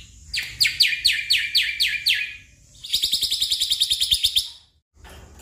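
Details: Black-winged myna song for prompting a stressed caged bird that will not sing: slow buzzy strokes repeated about twice a second, then a long, fast trill of harsh notes, ending in a brief burst.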